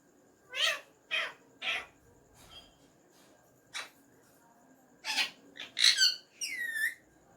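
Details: Talking pet ringneck parrot saying "Mian Mithu" in Urdu/Hindi: short, faint speech-like syllables, then a louder closing burst of rising, whistled chatter, indoors.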